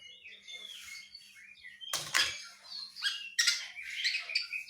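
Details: Javan myna imitating a person coughing: soft whistled and chirping notes, then two harsh, broad cough-like bursts near the middle and another rasping burst later, followed by scratchy chirps.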